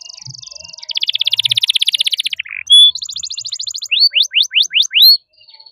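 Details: Champion-style canary song meant as a master for young canaries: a fine rapid trill, a longer dense buzzy roll, a pure whistled note, a quick high rattle, then five loud rising-falling swoops.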